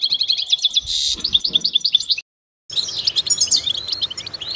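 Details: Goldfinch song used as a vocal exercise to stimulate goldfinches: fast, bright twittering and tinkling high notes in quick runs, broken by a brief silent gap midway before the chatter resumes.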